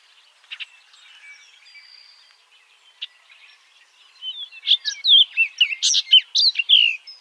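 A Baltimore oriole sings a quick string of rich, slurred, flutelike whistles, rising and falling, after a few seconds of soft, faint chatter from other birds.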